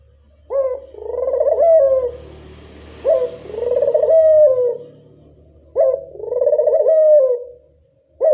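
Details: Local Barbary dove coo used as a lure for doves: a sharp rising note, then a long rolling purr that sags at the end, repeated about every two and a half seconds over a low background hum.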